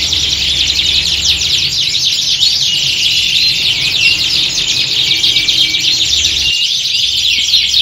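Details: Canaries singing together as at a contest, used to toughen birds for competition; unbroken high trills and chirps with short whistled notes, low hum cutting out briefly late on.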